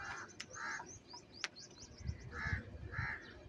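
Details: Harsh paired caws from crows competing over cheese, two early and two later, with thin high chirps and a few sharp snaps in between, over soft low rumble.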